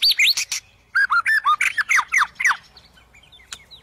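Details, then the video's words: Singing white-rumped shama, meant to spur shamas that are not singing: a rapid series of about a dozen bright down-curved whistled notes with sharp clicks, then quieter scattered notes trailing off. "Suara Burung Murai Batu untuk memancing murai batu yang males bunyi"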